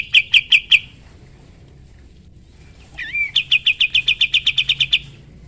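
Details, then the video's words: Sooty-headed bulbul singing vigorously as a tutor for other songbirds: a few rapid clipped notes, a pause, then a twisting whistled upslur leading into a quick, regular trill of about a dozen notes. "Masteran burung kapas tembak gacor"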